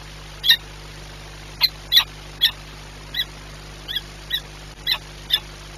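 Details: Peregrine falcon calling during feeding at Orlen Płock, 9:57 on 21 April 2021: about nine clipped, harsh high notes spaced unevenly roughly every half second, over a constant low mechanical hum.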